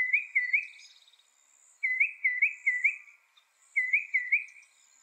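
A mockingbird sings short bursts of two or three clear, rising whistled notes, repeated after brief pauses, with a faint high hiss in the background.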